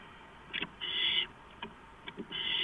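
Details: Owls in a nest box camera housing, three birds inside, recorded April 6, 2015 at 4:45 AM; harsh, hissing rasps, one short then several longer drawn-out bursts, with faint clicks between.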